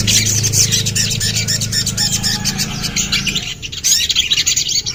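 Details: Common iora singing a dense run of fast, scratchy high chattering notes. A low droning hum underneath fades out after about three and a half seconds, leaving the chatter clearer in bursts.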